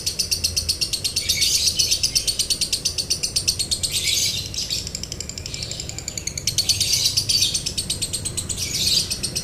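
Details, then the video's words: Training recording of lovebird "konslet" song with long dry trill: rapid buzzy pulsed chatter, high and harsh, in sustained bursts that swell and fade over several seconds. "MASTERAN LOVEBIRD KONSLET NADA KERING | PANCINGAN SUARA LOVEBIRD KONSLET"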